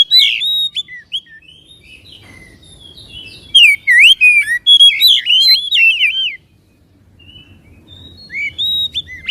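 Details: Loud varied song of a white-rumped shama, played to excite a caged bird into singing and fanning its tail: rapid whistles, twangy slurs and sharp chips in dense phrases, a silent gap, then renewed whistling.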